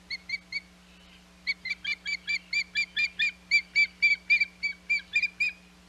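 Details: Nesting osprey on Hog Island, 21 May 2021, calling insistently: three shrill chirps, a short break, then a rapid steady series of some twenty ringing whistled yelps, about four per second.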